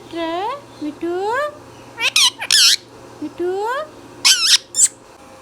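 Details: Pet green Indian ringneck parrot, a talking bird, giving rising harmonic calls that climb in pitch, three in a row, then harsh broad squawks in short bursts, with one more rising call between.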